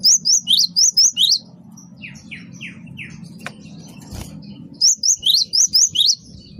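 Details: Gelatik batu wingko (great tit) in vigorous song for luring birds: a fast run of high, piercing, bent notes, then four lower descending slurs, then another rapid high burst, over faint hum.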